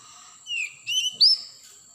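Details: Wild forest Oriental magpie-robin, played as a lure to get other magpie-robins singing. Three clear whistled phrases: a slurred note dipping then rising, a short mid-pitched whistle, then a higher, sharper upslurred whistle. A steady high faint hiss runs underneath.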